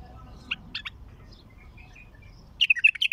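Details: A bulbul sings in a raw recording with a heavy-throated voice: a few isolated soft notes early on, then a rapid, loud burst of chattering warbled notes near the end.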